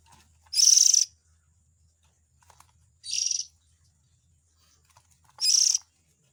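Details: Lure recording of Oriental magpie-robin young calling to attract the adult birds. Three raspy, noisy hisses are spread roughly two and a half seconds apart, the first longest, over near-silence.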